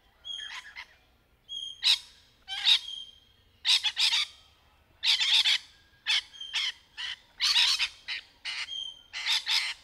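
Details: Rainbow lorikeets, native Australian parrots, playing in trees during courtship: a rapid series of loud, harsh screeches and shrill chattering bursts, some with a sustained high whistled tone, repeated about every half second with brief gaps.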